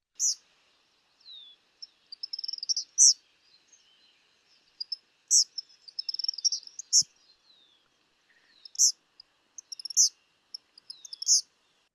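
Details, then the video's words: Eastern Kingbird: high, thin sputtering notes breaking into sharp buzzy zeer phrases, repeated in bursts every second or two; no other sounds stand out. "It gives various vocalizations described as high sputtering notes followed by a buzzy zeer, repeated many times. Sounds like this."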